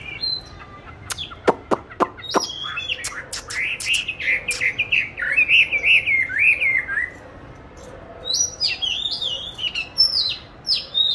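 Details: Caged oriental magpie-robin, hatched 29 July 2020, recorded 22 March 2021 in an ideal spot for song practice; sharp clicks and taps open, then a warbled whistled passage, a quiet gap, and high thin whistled notes.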